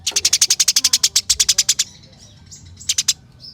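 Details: Eurasian tree sparrow in fighting mode gives one long, fast roll of about twenty sharp, high chirps. A pause with faint thin twitters follows, then a short burst of three chirps.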